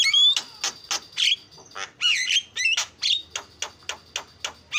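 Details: Starling lure song used to prompt birds into singing: fast series of harsh chattering bursts mixed with short whistled notes and squeaky rising slurs, repeated roughly twice a second, varied and energetic.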